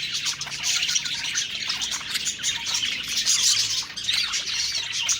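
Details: Group of budgerigars singing and eating; steady high warbling chatter with fast chirps and trills overlapping, swelling slightly louder near the middle.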